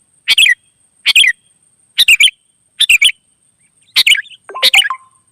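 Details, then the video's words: Sooty-headed bulbul in the wild, replying to other birds: six lively chirped phrases repeat roughly once a second, and the last one slides into lower, clearer whistled notes. A steady faint high hum runs throughout. "suara burung gacor kutilang liar auto nyaut"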